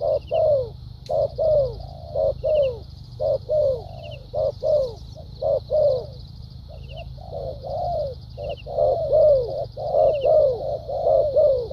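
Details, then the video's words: Spotted dove decoy in a cage, dueling style with thúc gù and lèo dặm phrasing, delivers a long run of rhythmic coos, short notes alternating with falling longer ones, growing denser toward the end, against a steady insect whine. "Đồng tốt tiếng bài bản.clip 870.nết chơi thúc gù,lèo dặm quá hay"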